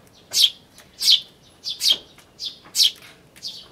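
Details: A Eurasian tree sparrow (Passer montanus) chick on a bird table, 9 May 2013, gives sharp, high chirps in quick, uneven bursts, about one every half second.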